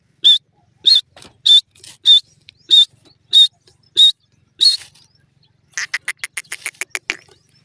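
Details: Francolin giving eight harsh, clipped notes spaced about every 0.6 seconds, followed by a fast rattling run of shorter notes.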